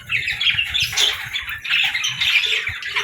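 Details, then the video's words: Budgerigar chatter: an unbroken run of buzzy, squeaky notes with small clicks, steady in loudness throughout, faint low thumps underneath. "Parrot Sounds | Budgie Videos"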